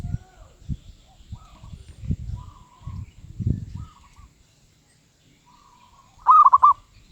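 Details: Zebra dove, described as having a medium voice ('suara sedang'): faint, distant rolling coos, then one loud close burst of stuttered notes near the end, with scattered low thumps and knocks early on.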